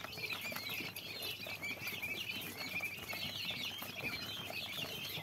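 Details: Quail chicks, a whole brood peeping together: dense, overlapping high thin chirps, many sliding up or down, streaming without pause, over a constant soft pattering and scratching like little feet on bedding.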